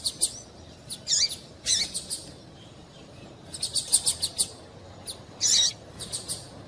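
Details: High, twittering calls of a female double-collared seedeater, played to get a male singing. Clusters of rapid chirps alternate with brief pauses, and a louder buzzy note sounds near the end.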